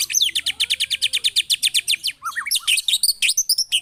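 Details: Murai batu, or white-rumped shama, giving coarse rapid-fire song meant to provoke rival birds: a long even run of sharp descending notes, then varied whistled slurs and scratchy flourishes.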